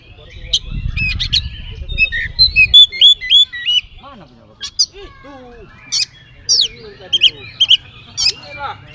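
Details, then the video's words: Singing Oriental magpie-robin with a song full of fill-in phrases, played as a lure for other magpie-robins: a run of hooked whistles, then scattered sharp chips, falling slurs and short bursts, with low rumble at the start. "kacer gacor full isian pancingan kacer langsung nyaut"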